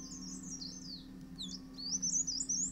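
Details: Male Dark Grey Bush Chat tending chicks in an earth-bank nest among daisies in the Himalaya; thin high warbled notes drifting downward, a pause, then a rapid sharp twitter, with low background hum.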